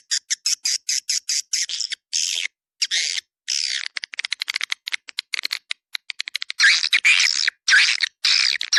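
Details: Swiftlet call played to draw swiftlets in: quick clicking chips run into longer rasping chatter and trilled twitters, repeated irregularly, high-pitched and sharp throughout.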